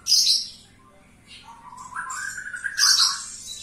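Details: A Javan bush lark singing hard indoors. High harsh chirps open and close the phrase, with a long rising whistled note in between.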